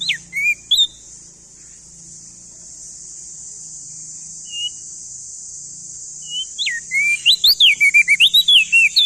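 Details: Male crested white-eye from East Nusa Tenggara, used as tutor song for young birds: a few scattered whistled notes, then a quick burst of sweeping, rising and falling whistles near the end over a steady high hiss.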